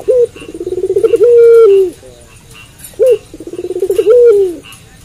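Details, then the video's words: At night a puter pelung dove sings two full phrases, each a short upswept note followed by a fast throbbing roll that leads into a long steady coo dipping lower at its close. "Puter Pelung Gacor Manggung Malam Hari"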